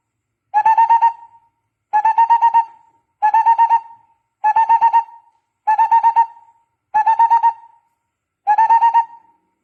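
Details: Barbet call: a fast rolling burst of hollow, hooting notes that run together, ending in a short drawn-out tail, repeated seven times about every one and a quarter seconds against a silent background.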